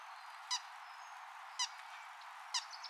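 Buff-winged Starfrontlet giving three short, sharp, buzzy call notes spaced about a second apart, over a faint high background hiss.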